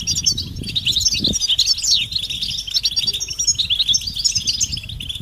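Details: European goldfinches calling to stimulate males before breeding: lively high twitters with a few sweeping slurred notes, several birds overlapping, plus a single low thump.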